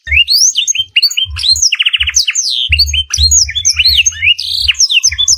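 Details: Canary tutor song for training other cage birds, filled with black-throated canary phrases: fast bright chirps and sweeping whistles, with a buzzy trill near two seconds over low soft thumps.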